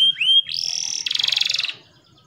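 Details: Singing canary, played as a master song for young or reluctant birds: a clear upslurred whistle, a sustained high whistled note, then a rapid pulsing trill, loud and clean.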